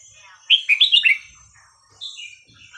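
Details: Red-whiskered bulbul singing in the Thai song style called hua khrok khayao khuat, played to teach young birds: a quick run of bright, warbled whistled notes, then a short pause and a second, softer whistled phrase.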